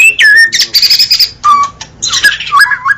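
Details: Short burst of White-rumped shama song: a downslurred whistle, a buzzy high chattering trill, then falling and stepped whistled notes, loud and close.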